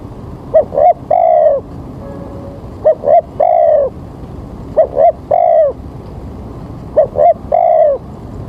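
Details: Lure call of a spotted dove at a trapping spot, early morning, rain about to fall: four even phrases, each two short coos then a longer sliding coo, spaced roughly two seconds apart.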